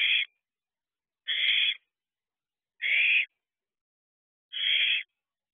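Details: Four bonded owlets at a nest box after midnight, snuggling and preening each other: four raspy, noisy hisses, each roughly half a second, spaced about one and a half seconds apart.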